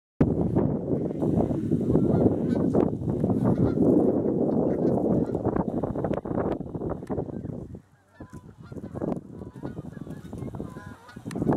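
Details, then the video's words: Geese flying in and landing on an icy pond on 19 November 2014: dense, overlapping honking over a heavy low rumble for about eight seconds, then thinner scattered honks. "Flying Geese Coming In"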